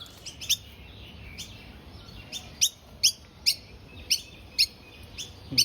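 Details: A premature Noisy miner fledgling (Manorina melanocephala) that left the nest early, on day three in a backyard tree, still fed by parents, chirps short, sharp, high notes unevenly, about ten in six seconds, over soft hiss.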